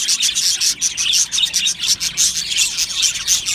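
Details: Australian budgie colony in an aviary, a rapid pulsing stream of very high chirps and trills from many birds, rising and falling in quick waves several times a second.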